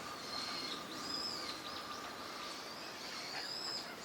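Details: Eurasian wigeon among park ducks at Junsai-ike green space, Chiba, Japan, in December 2025; high, thin whistles, some level and some sliding down, given singly over a steady wash of background noise.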